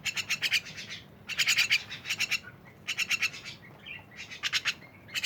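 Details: Noisy myna chatter: clusters of quick, harsh pulsed notes in four main bursts, with thin short whistles between them, over a soft background hiss.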